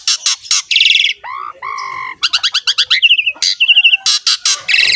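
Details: Busy, fill-in-rich song of an Asian pied starling: loud buzzy bursts, a pair of lower rising whistles, a quick string of chirps, wavering trilled notes, and harsh rasping calls at the end.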